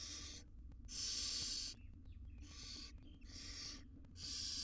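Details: Tiny barn owl chicks being groomed by their mother in a monitored wild nest box; five loud, harsh hissing bursts, each about half a second to a second long, separated by brief quiet pauses.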